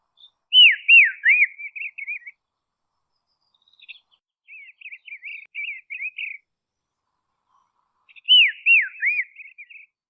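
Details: Dusky robin, a brownish-grey Tasmanian bush bird, repeating a phrase of loud falling whistles that trail into chattering notes, with a separate rapid chatter series between two phrases.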